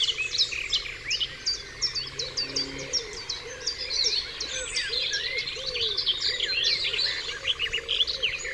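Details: Dewlands Common at dawn, many birds singing together: rapid sharp chirps and trills crowd the upper range while lower burry warbles repeat steadily beneath, over a faint humming background.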